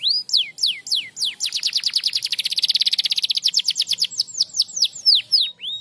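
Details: Bright canary song to stimulate non-singing canaries, with descending whistled slurs building into a dense rapid trill that speeds up, then slower rising and falling notes again.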